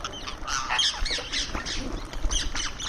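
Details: Indian ringneck parrot vocalising while eating: an almost continuous stream of rasping squawks and shrill chattering notes, rising and falling in quick succession.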